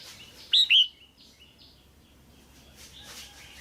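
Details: A single loud, bright two-note chirp from a caged female red-whiskered bulbul calling to excite a male or for pairing, followed by faint soft notes.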